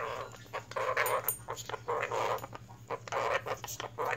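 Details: Pet blue-crowned conure indoors, having a fit and getting loud: harsh, noisy, rasping squawk bursts in quick irregular succession, close and strident, with a person's voice faintly in the room.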